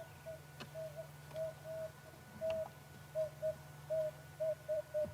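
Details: An Emerald-spotted wood dove (Turtur chalcospilos) calls at sunset on an African game drive at Djuma and Arathusa, giving soft, low hoots that come closer together, over a steady vehicle engine hum and faint clicks.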